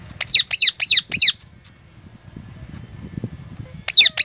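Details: A pet Ring Neck (rose-ringed parakeet) gives its very loud scream: harsh, shrill screeches, four in quick succession then one more after a pause, over faint low background rumble.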